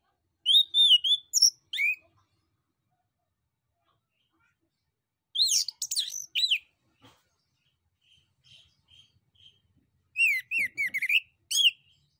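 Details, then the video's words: Male orange-headed thrush singing a lure song to make other birds respond: three separate bursts of varied, warbled and slurred whistles, spaced several seconds apart. Soft faint notes fill the gaps between bursts. "SUITAN ANIS KEMBANG JANTAN DAN PANCINGAN ANIS KEMBANG GACOR"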